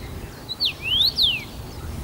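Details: A first-summer male common rosefinch, singing abundantly from his usual branch at Bazel, Belgium, on 7 June 2015: a brief phrase of clear, slurred whistles, falling, rising, then a long fall, over a quiet low hum.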